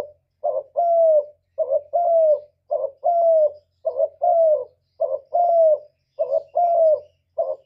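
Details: Spotted dove cooing for trapping and to excite caged birds: regular pairs of notes, a short rising coo then a longer smooth coo falling at its end, repeated roughly every second, with a faint low hum behind.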